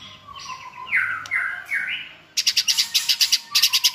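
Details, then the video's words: Good-voiced white-rumped shamas sing to directly tutor a chosen shama; three slurred whistles rising in pitch, then a fast run of harsh buzzy pulses repeated in two bursts. "NÀI CHÒE LỬA | Đào tạo THANH cho lửa chuyền"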